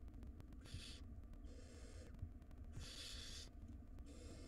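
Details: Barn owl nestlings in a wild nest box during a feeding, one swallowing a large rodent; several rasping hissed screeches in overlapping bursts, with low background hum.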